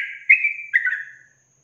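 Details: Yellow-vented bulbul in a songbird training recording of long-trill 'ropel panjang' song: one sustained whistled phrase with a louder bubbly burst midway, ending in a fading, slightly falling trail.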